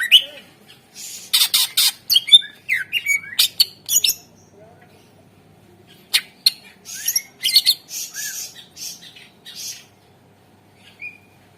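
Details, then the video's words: Greater green leafbird singing a lure song meant to get silent birds singing. Rapid harsh, scratchy bursts alternate with short whistled slides in two energetic sequences separated by a few seconds of near silence. "Suara Pancingan CuCak Ijo / Murai Ijo Gacor Ampuh Bangat Burung Pancing Burung Yang Macet Suara"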